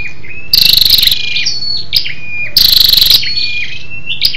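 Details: Scarlet-backed flowerpecker, female, lure call to stimulate males: two strong buzzy pulsed rattles two seconds apart, with fine high chips and thin downslurred whistles filling the gaps.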